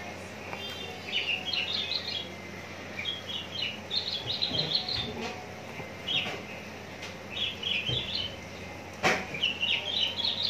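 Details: Contest-ready caged Javan bush lark from Cikupa, Tangerang, singing varied warbled phrases of fast twittering notes in short bursts separated by brief pauses, with scattered clicks and knocks in the background.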